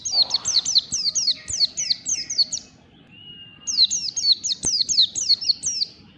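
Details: Ngalas song of a white-eye in the morning: two bursts of high, fast, descending chirps separated by a quiet gap of about a second, with a faint thin whistle in the pause.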